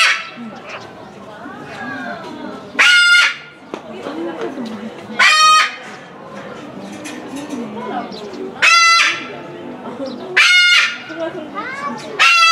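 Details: Moluccan cockatoo, captive at Omiya Park Small Zoo in Japan, December 2017, calling over and over. Five harsh, rasping shrieks ring out at irregular intervals of two to three seconds over steady background talk from people.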